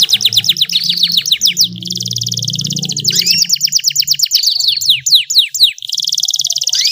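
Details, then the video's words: Female canary voice used to stimulate males into singing: fast series of high, sweeping downslurred notes and rattling trills in long runs, broken by a short pause, over a faint low hum. "SUARA KENARI BETINA, PANCINGAN KENARI JANTAN AGAR GACOR"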